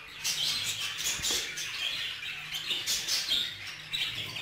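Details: Colony-kept budgerigars, with a male guarding a female out of jealousy: rapid warbling chatter full of scratchy trills and short sharp whistled notes, steady and busy throughout.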